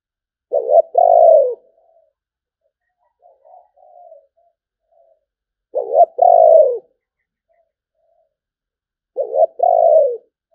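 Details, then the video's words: Spotted dove cooing in the sấm bầu song style: low, husky two-part coo phrases, a short note then a longer falling one, repeated about every four seconds, with a fainter, softer phrase between the first two; otherwise quiet. "Tiếng chim cu gáy chuẩn sấm bầu"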